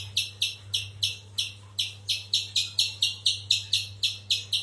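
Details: Sharp, high-pitched chips repeated roughly twice a second by a spiderhunter, slightly uneven spacing, a faint background hum throughout.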